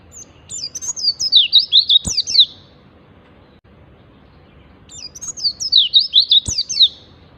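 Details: Oriental white-eye in ngalas style, played as a lure to get caged birds singing: two bursts of very high, rapid zigzag twittering about three seconds apart, each with a sharp click, over faint low background hum.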